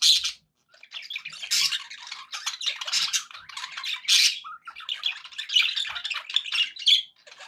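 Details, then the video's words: Pet budgerigars in a happy mood, chattering nonstop in harsh squawky bursts mixed with trilling warbles and quick clicking notes, after a brief silence at the start. "happy budgie sounds"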